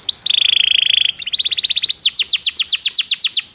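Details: Belgian canary song for canary training: a short rising whistle, then a fast buzzy trill, a quicker chattering run, and a series of clear descending whistled notes repeated roughly five per second.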